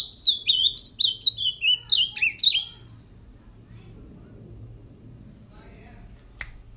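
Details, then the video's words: After mating, a caged male ultramarine grosbeak is carried out to sing and rattles off a fast string of high whistled, up-and-down slurred notes for under three seconds, followed by quiet room noise and a single click. "Azulão Maluco 🤪 do amigo Elson 🇺🇸 esse é máquina 🇧🇷"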